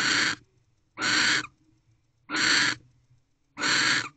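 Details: Barn owl guarding the door of its nest box in the small hours of 31 December 2023, with no mating; four long, harsh hissing screeches about every 1.2 seconds, quiet between them.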